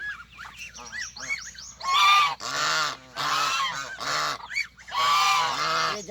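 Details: Domestic ducks (Anas platyrhynchos domesticus) in a small orchard with chukars, Kacha area, Moro, Sindh, Pakistan, give loud, harsh, rasping honks in five bursts about a second apart, after some thinner rising and falling calls.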